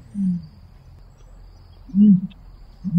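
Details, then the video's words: Deep, short grunting notes of a common ostrich, three in a row with a long pause between the first two, over soft background noise. "Страус. Голоса птиц"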